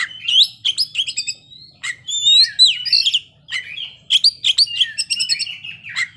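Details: Oriental magpie-robin in ngeplay song, showing its isian fill-ins. Varied sharp whistles, slurred upward notes and rattling chips come in irregular bursts with brief gaps. The singing is loud and clear over a faint low hum.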